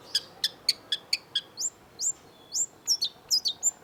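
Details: Long-tailed shrike singing vigorously: a quick series of sharp high ticking notes, then a run of thin upslurred whistles and mixed chips, fast and varied, against soft background hiss.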